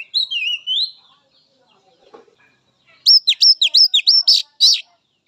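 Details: Wild Oriental magpie-robin singing, played as therapy for young, spotted-phase and silent captive birds: a clear whistled phrase dipping and rising, a pause, then a fast run of loud looping whistled notes.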